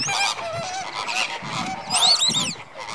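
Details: Captive greater flamingo flock at Slimbridge, January 2016, busy before settling for the night: continuous overlapping goose-like honks and nasal chatter, with a sharp rising, bending squeal about two-thirds through.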